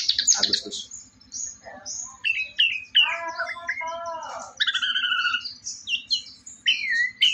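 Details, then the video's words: Orange-headed thrush, morning of 4 August, delivering a varied 'teler' style song: quick high whistles alternating with descending buzzy slurred notes and mid-pitched harmonic trills, over a faint steady low ticking. "anis merah si dewa mabuk, super teleerrr"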